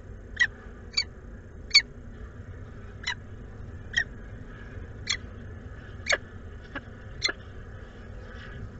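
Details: A peregrine falcon pair in Włocławek, Poland, 12 May 2022, trading food back and forth. Short, sharp ticking calls come about once a second, irregularly, over a constant low hum.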